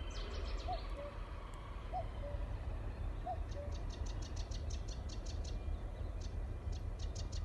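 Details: A common cuckoo at Trimley Marshes gives three soft, falling two-note cu-coo calls about every one and a half seconds, with Cetti's warbler, sedge warbler and little grebe heard as rapid high chatter behind and a steady low rumble throughout.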